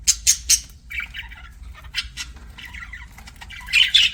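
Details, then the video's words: Budgerigar giving sharp, scratchy chirps and squawky notes in quick bursts, three loud clipped calls at the start, softer warbled chatter in the middle and a harsh squawky burst at the end. "BUDGIE CHIRPING SOUNDS"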